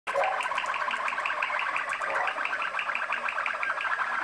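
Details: Waterslager (Malinois) canary, bred in Kumanovo, Macedonia from champion lines, singing indoors: a steady rapid bubbling trill of repeated water-like notes, about five per second, continuous and even throughout.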